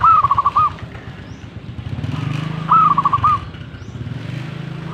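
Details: Zebra dove gives two short, rippling cooing phrases of rapid rolled notes ending in an upturned coo, partly masked by a running motorcycle engine.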